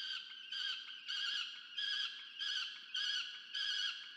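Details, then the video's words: Recorded at a research nest camera in Orange, New South Wales, Australia, on 13 November 2022, a peregrine falcon chick clamours for food from its parent: seven loud, grating, wailing screams at a fairly even rhythm. "FalconCam Project CSU Orange(AUS)- Rubus domaga się jedzenia od Diamond"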